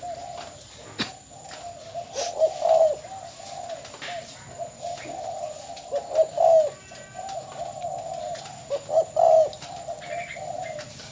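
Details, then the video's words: An old male spotted dove from eastern Vietnam, kept as a decoy bird, gives low, hollow cooing phrases about every three seconds, each ending in a soft, slightly emphasized double note, over a faint steady hum. "Cu gáy"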